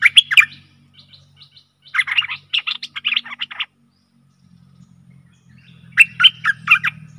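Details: Stripe-throated bulbul decoy song meant for fierce wild birds, with scratchy, chattering note runs and warbled phrases. A low steady hum runs underneath.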